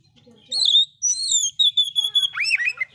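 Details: Loud oriental magpie-robin song with fill-in phrases meant to agitate other magpie-robins; long steady high whistles followed by a quick run of choppy notes and a looping slurred phrase.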